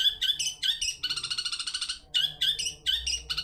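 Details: Long-tailed shrike (cendet) lure song intended to trigger other birds to sing: harsh chattering phrases alternating with a long buzzy rattling trill, then more quick scratchy notes.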